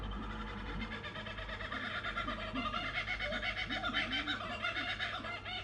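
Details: Two kookaburras at night give a loud, harsh, cackling chorus of rapid repeated notes that rise and swell, with a faint room-like echo.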